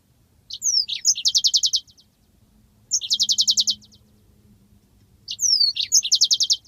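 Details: Training master of yellow-fronted canary long rolling song: three phrases, each a couple of downslurred whistles followed by a rapid buzzy trill of about ten even notes, separated by short silences over soft low hum.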